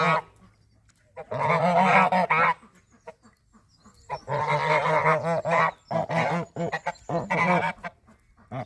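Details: Geese during breeding season giving loud, harsh, nasal honks in long rapid bursts, a sustained chorus around two seconds, another from four to six seconds, then shorter repeated honking toward the end.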